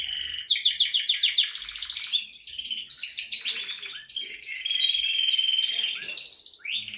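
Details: Male canary singing to stimulate a female to mate: loud, continuous high song of rapid pulsed trills, rolling warbles and a long steady trill, with brief rising notes and quick dips between phrases.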